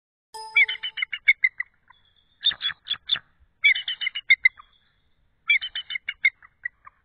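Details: Female eagle off the egg at night, 12:12 am, 8 February 2013, after about 25 minutes cooling it, gives bursts of high, rapid chattering notes in four series, each a string of quick piping syllables, with silent gaps between.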